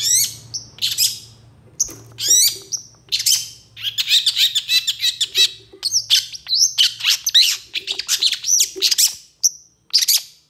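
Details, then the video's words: Long-tailed shrike in full, varied master song, quick to respond to other shrikes: dense run of scratchy chatter, buzzy bursts and sharp whistled upslurs delivered almost without pause over ten seconds, with a low hum beneath. "PENTET GACOR EMOSI CEPAT DI RESPON CENDET LAIN, MASTERAN CENDET FULL ISIAN"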